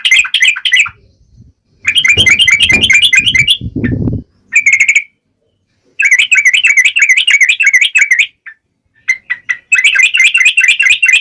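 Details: Yellow-vented bulbul singing vigorously in wild style to provoke birds to answer: bursts of rapid, bubbly chatter separated by pauses, with a low rumbling noise partway through.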